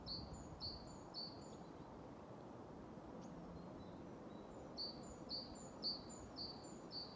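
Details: A great tit sings at Haga's Ryggisspåret trail on 28 February 2024, many great tits present: bright two-part notes, high then lower, repeated about twice per second, in a short run, a pause, then another run, over faint distant rumble.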